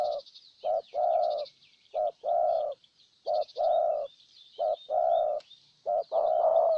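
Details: Spotted dove used as a decoy to win over a wild bird in Ninh Thuận, Vietnam, giving repeated two-part coos, a brief note followed by a longer, slightly falling one. Faint twittering of other birds is heard above.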